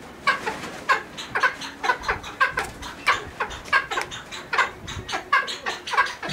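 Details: Cheer pheasant at a pheasant nursery giving a steady series of harsh, rasping notes, about two or three each second, with no other clear sounds.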